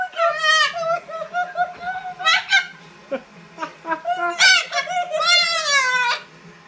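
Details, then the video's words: Macaw sitting on its owner's arm indoors, screaming repeatedly: loud, harsh, rising-and-falling screeches in several bursts, the longest near the end, with laughter-like human voices. "Macaw Sits on Owner's Arms and Screams Repeatedly"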